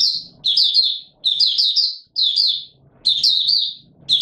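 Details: Caged white-eye (Mata Puteh Raja) in open singing on 20 March 2022, in warm humid weather: bursts of high, rapid twittering notes, each lasting about half a second to a second, broken by short pauses.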